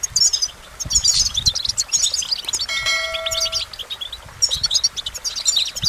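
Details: Goldfinch twittering song in quick high bursts, interrupted near the middle by a clear ringing chime-like tone held for about a second.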